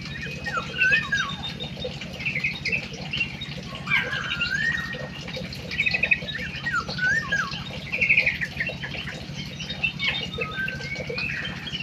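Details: Munia song with repeated dipping whistled slurs and short rattling buzzy trills, loud bursts recurring every few seconds above a steady low hum.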